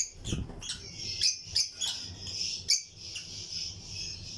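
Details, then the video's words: Lutino lovebirds chirping in a colony breeding aviary, a dense high chatter broken by several loud sharp chips about every third of a second, with other caged birds in the background. "Lutino Lovebirds Breeding Colony Cage - Chirping and Relaxing Sound"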